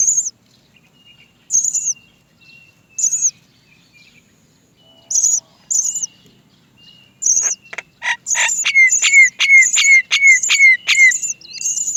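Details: Great myna chick at the nest crying for its mother to feed it: shrill squeaky notes in short bursts every second or two, then a rapid excited run of many notes with sharp falling chirps.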